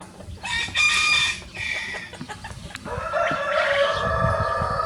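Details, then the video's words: Two Rosecomb bantam roosters, free-ranging show birds, crowing in a duet: a harsh, harmonic crow rising and holding for about two seconds, brief lower notes between, and low background rumble throughout. "The Smallest Breed of Rooster Crowing Duet"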